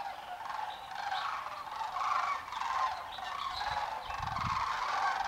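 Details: Thousands of migrating sandhill cranes stopping in farm fields on Oregon and Washington refuges; dense, blended chorus of rolling calls swells and fades throughout, with faint low rumbles near the end.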